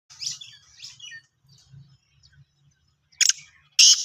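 Black francolin giving harsh, grating, high-pitched call notes in short bursts, the loudest two near the end, over a faint low hum.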